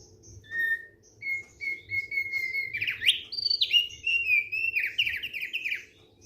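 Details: Relaxed song of a thick-billed white-eye: even repeated whistles lead into a burst of rich, fast warbling with slurred notes and a trilled run, bright and high throughout.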